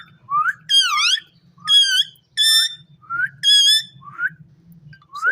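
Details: In a cage, an Indian ringneck parrot said to talk gives loud, wavering, richly harmonic calls mixed with short upslurred whistles, irregularly spaced, over a faint low hum.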